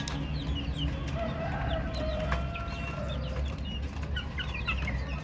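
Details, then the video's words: Young chicks cheeping, a steady scatter of small high slurred notes, some falling and some rising, with a few longer drawn-out tones, over a constant low hum. "Chicks Chirping Sounds - Baby Chicken Sounds"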